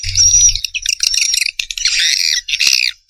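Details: Swiftlet chatter, a rapid, harsh twittering stream with a thin whistled note at the start and brief gaps, ending abruptly.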